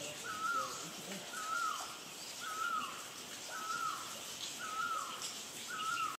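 A Great Barbet gives a mellow, mournful two-part note, repeated steadily about once a second over a soft background hiss of insects.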